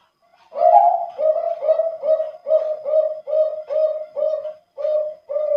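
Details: Zebra dove of contest-grade Bangkok stock, from Wajo Sengkang, South Sulawesi, with a deep, full voice. A drawn-out first note is followed by about ten short, rounded coos at a steady rhythm, close and loud.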